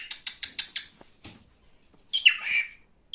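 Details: Male cockatiel kept as a pet: a quick run of five short chirps, a pause, then a harsh rising-falling screech and a brief final note.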